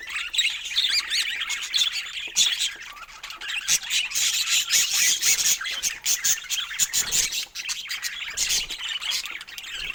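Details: Budgies kept as pets alongside parrots produce loud, crowded squawking chatter, harsh chirps pulsing in uneven waves with brief quieter dips between the bursts.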